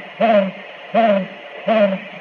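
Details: Great Gray Owl in the Okanogan Highlands of north-central Washington giving three deep, slightly falling hoots, evenly spaced about three-quarters of a second apart, with a faint hum behind; male, chick and female calls are presented.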